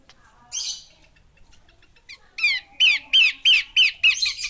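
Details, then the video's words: Female Horsfield's babbler: a scratchy hiss, a pause, then a rising series of about seven loud, rasping descending notes repeated about three per second. "Burung Pelanduk Semak Betina"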